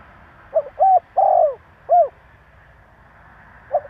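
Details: Spotted dove giving a male-voiced call that provokes other doves: one phrase of two short coos, a long sustained coo and a short final note, followed by quiet and a faint note at the end.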